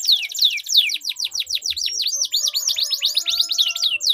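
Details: Canary giving a melodious long rolling song in a duel, meant to prompt silent canaries to sing: dense high trill of fast down-slurred notes shifting into V-shaped chips, with faint lower tones beneath.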